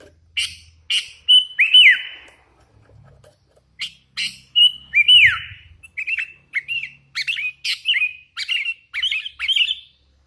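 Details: Sooty-headed bulbul, a young hand-raised bird singing vigorously: rapid series of bright whistled notes, many with hooked downward slurs, speeding into a busy run of chirps near the end.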